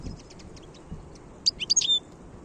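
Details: Wild European goldfinch recorded in 2022: a few faint high tinkling notes, then a brief burst of bright, liquid twittering with quick high chirps and a short buzzy ending over a low background hiss.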